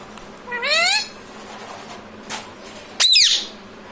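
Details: Parrot imitating speech ("mummy papa"): one rising, harmonic word-like call, a brief soft noise, then a sharp harsh screech.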